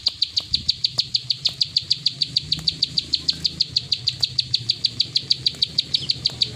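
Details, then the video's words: Plain prinia singing 'klik ngacor' without stopping, a fast series of clear, high, clicking notes at a steady pace with soft low rumble behind. "Burung prenjak sawah klik ngacor"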